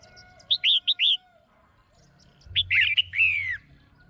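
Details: Female red-whiskered bulbul in a cage, calling to rouse a male: a quick set of four sharp chirps, then after a pause a louder tumbling cluster of notes ending in a long downslurred whistle.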